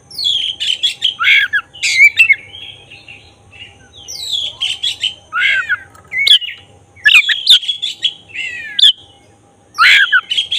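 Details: Singing black-breasted oriental magpie-robin, its song meant to stir emotion and tail spreading in another bird: varied bursts of sharp, downward-sweeping whistles and rattling notes, separated by short pauses, over ten seconds.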